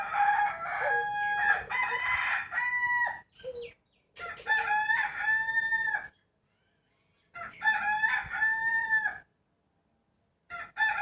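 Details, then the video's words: Morning rooster crowing ahead of the 2020 New Year: three long harmonic crows, each about two seconds with a rising start and level sustained end, spaced by silences, a fourth beginning at the close. "Efek suara ayam - chicken sound effects"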